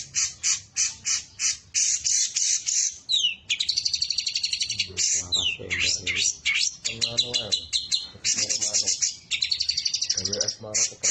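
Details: Long-tailed shrike contest bird singing a varied mimicry song to provoke rivals: quick repeated high chips, trills and sweeping whistles, interleaved with lower harsh, harmonic rasping notes.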